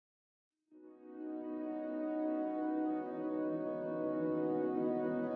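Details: Silence gives way to a sustained, swelling horn-like chord of ambient music, with no animal sounds.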